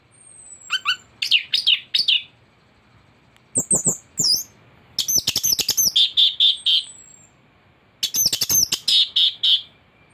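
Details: Thrush (anis) song for tutoring captive birds: bursts of rapid repeated high chirping notes in fast runs, separated by short pauses, with clicks and a thin high whistle behind.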